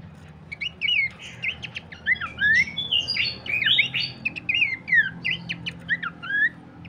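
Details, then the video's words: Master and lure recording of Horsfield's Babbler for training songbirds: lively jumble of swooping whistled notes and quick chips, denser around the middle, tapering off toward the end, faint hum beneath. "pancingan dan masteran terbaik mewah khas burung pelanduk semak"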